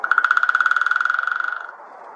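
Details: White-backed woodpecker drumming: a rapid, even roll of about two dozen sharp knocks in under two seconds. The knocks have a ringing, resonant tone and fade steadily toward the end, then quiet background remains.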